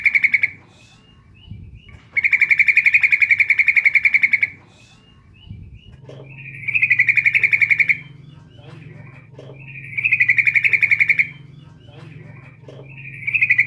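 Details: Used as a lure, a female yellow-vented bulbul calls the male with repeated two-second bursts of fast, ringing, buzzy pulses separated by pauses, over a faint low hum and a few soft knocks.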